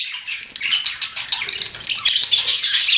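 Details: Domestic budgerigars chattering in quick scratchy chirps and squeaks, rough pulses about twice a second, growing busier toward the end.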